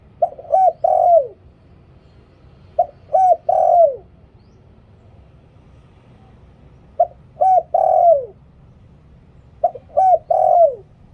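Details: หลิ่วตัน song of a spotted dove kept as a decoy for luring wild birds. Four resonant cooing phrases, each starting with a clipped note and ending in a long descending coo, come at uneven intervals.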